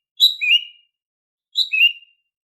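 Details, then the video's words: Daily call of a female green leafbird, meant to coax quiet males into singing; a pair of short phrases, each starting with a high clear note and dropping into a lower rippling whistle, separated by over a second of silence. "Suara Burung Cucak Ijo Betina Bunyi Harian, Bisa untuk Memancing Jantan yang Macet Bunyi?"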